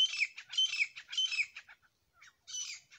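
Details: Grey francolin pair: loud rasping, grating bursts repeated rapidly, a brief pause, then the harsh call resumes.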